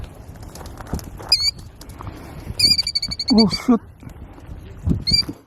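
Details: Nest-defending killdeer at Iona Beach in Richmond, British Columbia, Canada: piercing high cries, then a fast stuttering series of shrill notes, a few lower rough sounds, and a final sharp call, over low outdoor noise.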